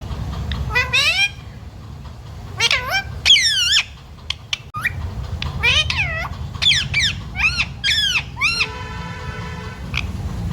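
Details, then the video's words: Pet parrot said to talk, saying words such as mummy, papa and sita ram; a lively run of loud, harmonic squawks and word-like phrases, some rising and some falling, over a steady low rumble. "बोलने वाला प्यारा तोता 💖 parrot talking mummy papa 🥰 parrot talking sita ram"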